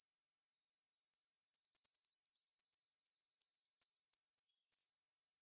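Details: Sharp-voiced female jalak rio-rio starling gives a high, fast, jumbled run of squeaky chirps and short whistles over about four seconds, ending in a loud bright note.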